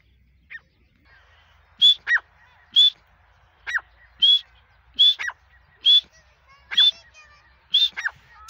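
A grey francolin calls loudly, shrill high notes, often paired, repeated about once a second in a steady, ringing series. The background is otherwise quiet.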